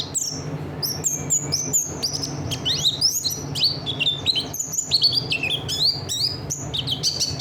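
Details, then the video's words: Buxtoni Oriental white-eye singing training material: a busy stream of thin, high chirps, twittering slurs and brief trills, quick and varied, rising and falling in pitch, with a faint steady low hum beneath. "Pleci buxtoni materinya enak banget"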